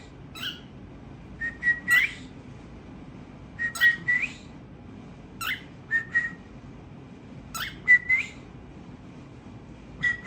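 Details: Tamed cockatiel chirping within a family group: clipped notes followed by short rising whistles, given in bursts of two or three about every two seconds, over quiet room hiss.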